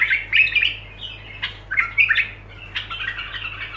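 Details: Bulbul giving continuous song in short bursts of quick, bubbling, whistled notes, with a brief sharper phrase midway and a low hum underneath.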